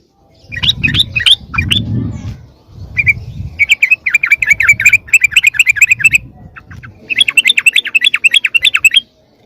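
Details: Lure call of the yellow-vented bulbul for attracting wild birds: harsh chattering notes, first a few loose ones, then long fast runs of repeated scratchy chips over low rumbling background noise.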